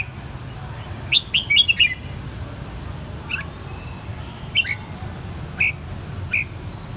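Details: Red-whiskered bulbul kept in a cage in Saigon, raised from a juvenile: a rapid cluster of bright warbling whistled notes, followed by spaced single liquid chirps about once a second, with a low constant hum behind.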